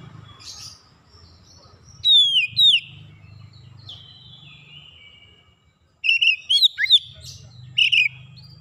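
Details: Oriental magpie-robin calling: two bold downward-sliding whistles, a thin drawn-out note, a short silence, then a burst of rapid rich whistled and warbled notes, low hum beneath.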